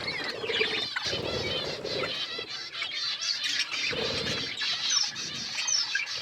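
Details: Budgies eating and chirping: a steady mass of overlapping scratchy warbles and high squeaks, a continuous busy chatter with a few thin whistled notes standing out.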